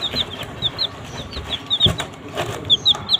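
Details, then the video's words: Baby chicks feeding on green leaves: sharp, high, descending cheeps spaced irregularly, some louder and clearer, over faint scratching and rustling. "Baby Chicks Eat Green Leaf"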